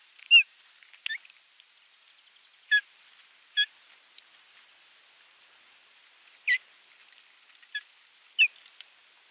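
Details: Osprey at its nest on 27 June 2022, bringing a fish and watching the feeding: scattered sharp, high chirps, some in quick doubled bursts, spaced one to three seconds apart over a quiet background.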